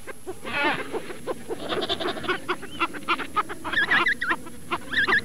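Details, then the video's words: Penguins calling, with harsh, wavering, bleat-like braying notes and a run of short pulsed honks, several overlapping voices; quick high chirped notes repeat near the end. "Penguenler Nasıl Ses Çıkarır?"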